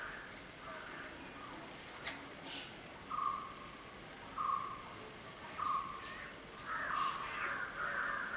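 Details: Black-headed oriole (Oriolus larvatus) calling: short, harsh, nasal notes about every second and a half, ending in a longer, rougher phrase; a faint high chirp and a click are also heard.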